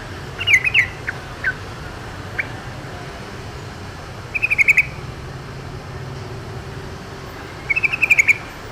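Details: Yellow-vented bulbul in the wild, giving three brief bubbly bursts of quick chirping notes several seconds apart, amid constant background hiss and low rumble.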